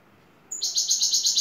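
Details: European goldfinch lead bird from Turkey in şakşaklı style: a brief high whistle followed by a dense, rapidly pulsing buzzy trill.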